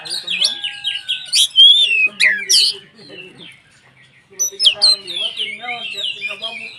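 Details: White-rumped shama song meant to provoke other shamas: loud bursts of clear whistles and ringing upslurs, a quiet gap of faint chatter, then renewed varied whistled phrases.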